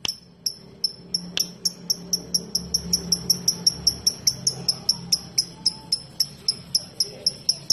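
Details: Lovebird ngetik, sharp high ticking clicks repeated about three times per second, very regular, like typing, over a quiet low hum.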